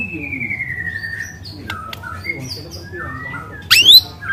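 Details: Wild white-rumped shama singing long, loud canary-like phrases for luring: drawn-out whistled notes sliding down, short clipped whistles, then a sharp rising burst near the end, over low background hum.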